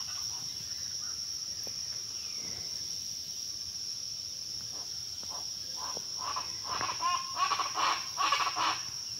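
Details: Pava guacharaca (chachalaca): quiet background at first with scattered faint notes, then loud raucous rhythmic bursts of grating calls build in the final three seconds, with a constant high-pitched insect drone throughout.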